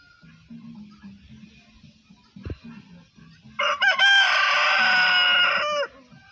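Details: A rooster crows once, loud and drawn out, a harsh, richly layered call lasting about two seconds before breaking off. Before it, low soft clucking and a sharp knock can be heard.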